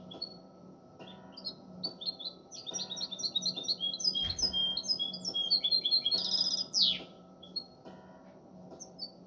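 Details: A seven-month-old goldfinch hybrid singing: a sustained stream of rapid, high-pitched twittering notes and short trills, with a brief buzzy flourish near the end, steady hum and faint voices behind.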